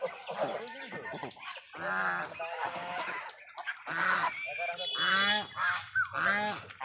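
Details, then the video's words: Farmed geese honking loudly in overlapping bursts, nasal and harmonic, rising and falling in pitch, several calls in quick irregular succession with brief pauses between groups. "Raj duck sound"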